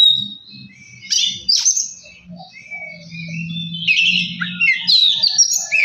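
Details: Oriental magpie-robin song used to provoke singing: scattered whistles and a sharp downward note early, then a dense warbling burst, with a low droning hum underneath.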